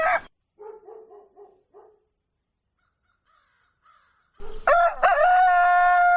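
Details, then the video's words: Rooster at dawn: a brief loud note, a run of soft short clucks, near silence, then a strong crow begins with a rising onset and a long, steady, rich held note running to the end. "Canto Do Galo | Galo Cantando Ao Amanhecer"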